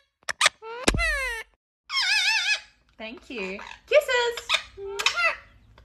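An Indian ringneck parrot chatters in short, squeaky word-like phrases with wavering, sliding pitch, a few sharp clicks between them, in a small quiet room.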